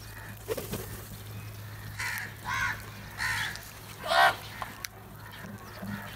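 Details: Crows feeding together, calling and crowing loudly: a run of four harsh, nasal caws spaced about half a second to a second apart, the last the loudest, with clicks and a low hum behind.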